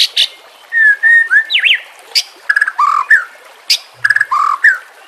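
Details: White-rumped shama singing in a training recording with nature and water sounds: level whistles, a zigzag trill, buzzy notes and low warbled phrases separated by short pauses.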